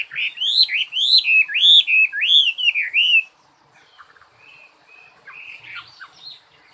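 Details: Singing bird repeating a clear, looping whistled phrase about twice a second, each note bending up and down, then switching to quieter, softer notes after a short pause.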